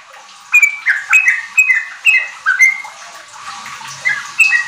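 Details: Sooty-headed bulbul song used to coax untrained kept birds into riwik and ropel singing. After a quiet start, whistled notes slur down then up in a steady series, then thin out toward the end.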